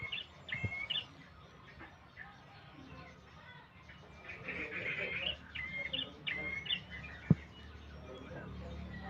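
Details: Young red prinia learning to sing: short bursts of high, slightly buzzy chirped notes, repeated in small clusters with pauses, plus a few low knocks and thumps.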